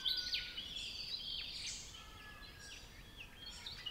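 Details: Regent Honeyeater in temperate woodland of the Capertee Valley, NSW, Australia, giving soft, high chuckling notes with thin sliding whistles, several calls overlapping quickly, over faint background woodland hiss.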